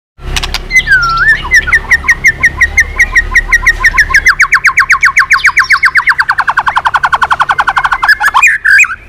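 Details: White-rumped shama, prompted to sing hard while flicking its tail, delivering a long run of rapid, even, clipped notes that slide downward and slow slightly over about eight seconds. A swooping whistle opens it and a low hum sits underneath.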